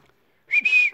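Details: Pet Alexandrine parakeet indoors giving a single loud, steady whistled note broken by a brief dip.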